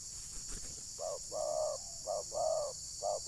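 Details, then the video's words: Spotted dove (terkukur) in a decoy trapping session at Ujung Batu, Rokan Hulu, Indonesia, where wild birds react angrily; quieter, more distant cooing in several short and long notes against a noisy background. "Pukul Pikat, Burung Liar Terlalu Emosi Dengar Bunyi Pikat ini."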